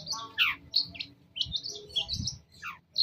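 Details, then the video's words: Long-tailed shrike lure song meant to draw a reply from other shrikes: a varied run of short high chirps, slurred downward notes and sharp clicks in quick succession, with a faint low hum underneath. "Masteran CENDET Kicau Pancingan cukup 1 Menit Auto Nyaut!!!"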